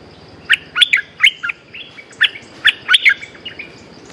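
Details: Bulbul territory holder reacting at once to a hung lure bird, giving lively jumbled chirps in quick groups of two or three notes, bright and slightly rising, repeated throughout over faint steady hiss.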